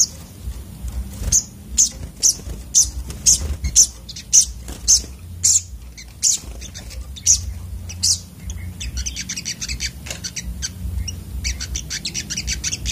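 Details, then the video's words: Agitated sunbird song made of piercing high notes repeated about twice a second, then breaking into fast, buzzy, stuttering trills. A steady low hum runs underneath. "burung sogok otong terapi ngamuk"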